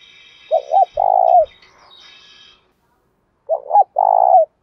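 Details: Spotted dove luring wild doves to fight: two low phrases of two clipped notes and a long coo, the first over faint high chirping and a couple of dull knocks.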